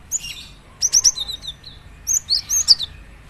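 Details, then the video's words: Cinereous tit giving three short clusters of piercing high whistles, sharp up-slurred notes tumbling into lower down-slurred ones, each burst under a second long, over a faint steady hum. "gelatik batu lain langsung gacor dengar suara ini"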